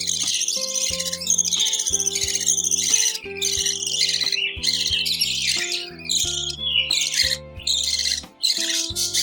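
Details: Hungry budgerigar (Melopsittacus undulatus) chicks being fed by their parents give a dense, raspy chatter of high begging chirps over background music.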